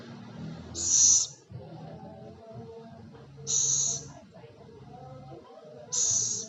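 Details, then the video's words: Owl, called celepuk or ceguk: a harsh, hissing screech high in pitch, about half a second long, repeated three times roughly every two and a half seconds over background voices and low murmur. "Suara burung hantu celepuk/ceguk"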